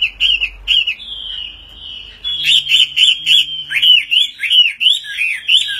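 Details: Chinese hwamei singing during a fighting display with wings raised: clear looping whistles, a long drawn-out steady note, then a run of rhythmic rising-and-falling whistled phrases, loud and clean.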